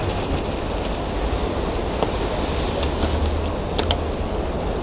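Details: Constant wind rumble and distant traffic noise with a few faint clicks, and no animal call stands out.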